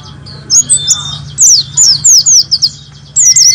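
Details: Pleci white-eye, 'nembak' song style used to tutor caged pleci, for morning play at dewfall: loud, sharp, downward-sweeping high chirps in quick, uneven bursts over a low background drone.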